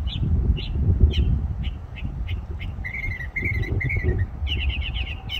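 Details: Songbird in a tree giving varied song: a few separate sharp chirps, then short steady whistled phrases and a quick run of repeated notes at the end, over loud low rumbling background noise.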